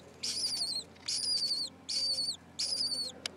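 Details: Lesser kestrel nestlings, four chicks about six days old lying next to an unhatched egg on a school roof in Alona, utter four harsh, wheezy, slightly wavering squeals, each lasting about half a second and spaced under a second apart.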